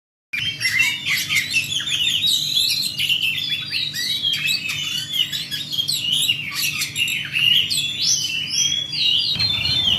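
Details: Oriental magpie-robin in fighting mode, singing a continuous rolling song: dense, unbroken, high-pitched whistles, trills and scratchy notes tumbling quickly over each other for the full ten seconds, with a steady low hum underneath.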